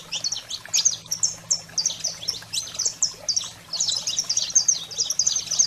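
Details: Excited high-pitched song of a saffron finch (canário-da-terra), played to stimulate captive birds; sharp chirps and quick slurs come in spaced groups, then a denser rush of notes near the end, low hum behind.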